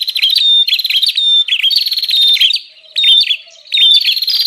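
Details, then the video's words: Lure recording of a bar-winged prinia, meant to attract wild birds and tutor caged ones: bursts of fast, scratchy, buzzing notes with short dips, broken by two quiet gaps. "Suara pikat burung prenjak Ribut"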